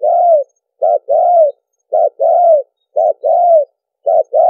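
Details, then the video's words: Spotted dove cooing as a lure call for trapping, with crowing song and soft coos: a short low note, then a longer slurred coo, repeated about once a second on a clean, silent background. "Mp3 cu gáy mồi kèm gù dùng đi bẫy"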